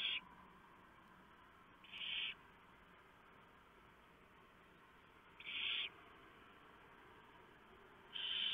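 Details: Night scene at a barn owl nest, 3 November 2015 around 4 AM, the male bringing a large mouse and the female tearing it up to feed the owlets; four rasping hiss bursts spaced a few seconds apart over low hum.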